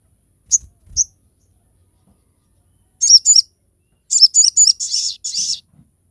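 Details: Crested jay giving sharp song for teaching and luring other birds: two isolated high chips with faint low thumps, a pause, then clustered runs of shrill, buzzy chirps delivered in quick succession.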